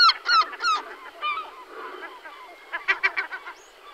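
Caspian Gull giving harsh, nasal, braying calls in quick bursts of three to five notes, with pauses between bursts; other gulls may be calling nearby.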